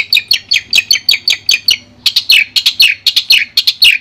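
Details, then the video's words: Clean master song of a Madura long-tailed shrike: even series of short sharp chirps about four per second, a brief pause, then a second series of slightly lower, buzzier notes at the same steady rhythm. "Suara Jernih Masteran Burung Cendet Madura"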